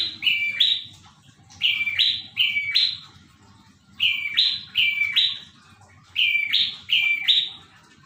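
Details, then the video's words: A prinia sings steadily and loudly, with four bursts of two-part phrases, each a clear lower note snapping up to a rasping higher note, separated by brief gaps; soft background rumble. "Burung prenjak gacor dor"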